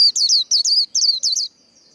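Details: White-eye giving its líu đấu competition song style: four quick bursts of high, sharply down-slurred twittering notes, each burst paired, packed into a second and a half before silence.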